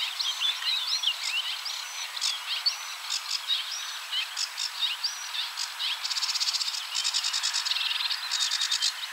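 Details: Sedge warbler singing at coordinates 53.286375, 22.608654: scratchy chatters mixed with repeated upslurred whistles early on, then shifting into long dry rattling trills and buzzing churrs toward the end.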